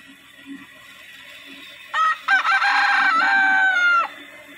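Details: Rooster crowing in the morning: one loud, harsh crow opens with two short stuttered notes, then holds a long, strained, slightly falling tone for about two seconds. Faint clucking and low background murmur come before it.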